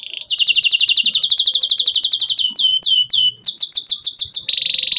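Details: Canary lure song for young canaries learning to sing: a long rapid trill of downward-sweeping notes, then slower separated chirps and a closing buzzy roll.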